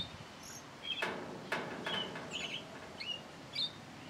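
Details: A thrush at its singing hour gives a handful of short high whistled notes spread through the passage, broken by a few sharp clicks and steady hiss.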